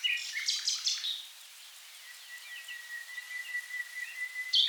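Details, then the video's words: Common nightingale singing in the Rhine river wetlands, south Germany: a burst of rich, rapid notes and trills, then a long, thin, steady whistle that swells before a sharp closing phrase. "Nightingale Birdsong"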